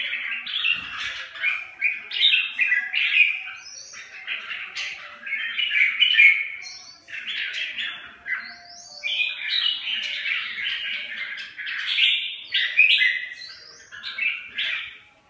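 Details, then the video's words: Red-whiskered bulbuls squabbling and bullying one another: continuous quick chirping and scratchy squawks, phrases pouring out in rapid runs with short pauses between bursts, a few clear upslurred whistles mixed in. "Căng nhà thui... Bắt nạt nhau"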